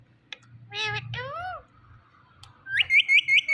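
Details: Pet Indian ringneck parrot talking: two harmonic, voice-like syllables with rising and falling contours, then a quick run of five high, looping whistled notes near the end.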